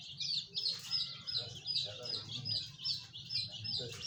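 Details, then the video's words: Colorful chicks give shrill, high peeps, each note sliding slightly downward and repeated about every half second, with faint voices and a low hum underneath. "رنگ برنگے چوزے"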